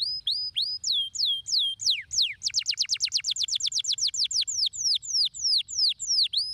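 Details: Canary stimulating song to encourage lazy canaries: looping whistled phrases, then a very fast rattling trill of steep downward notes, followed by slower repeated swooping whistles.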